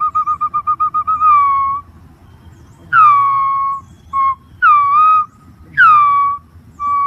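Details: Green pigeon opening with a quick warbling trill that flows into a falling whistle, followed by loud downslurred notes spaced a second or so apart, with shorter notes between them. Low rumble behind.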